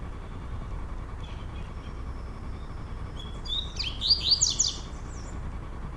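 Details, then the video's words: Indoor contest between two caged male double-collared seedeaters, Brazil; after a quiet stretch, a brief high buzzy phrase with a few sharp whistled notes rises over steady background hum. "COLEIRO TROVOADA X MANCHINHA"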